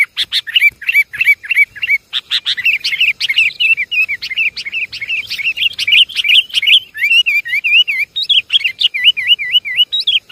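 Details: Continuous sooty-headed bulbul lure calling from Java: fast, rhythmic chirps giving way to wavy, rising-and-falling whistled phrases repeated many times without break.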